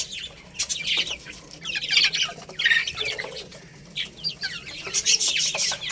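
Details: Baby chicks eating rice: short high chirps, some falling in pitch, scattered among dense crackling and pecking clicks, with brief flurries of louder peeps.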